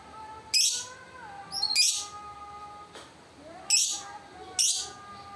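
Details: Lovebird giving four sharp, very high chirps, each a short burst, spaced about one to two seconds apart, over a faint steady background hum.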